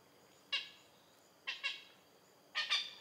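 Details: Oriental pied hornbill in Malaysia giving harsh, rasping squawks: a single note, then two quick doubled cackles about a second apart, over a quiet background.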